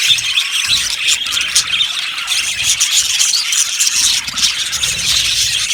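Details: A colony of yellow budgies in an aviary, heard as a constant high, grating chorus of chirps and warbled squeaks from many birds, with a faint low hum underneath.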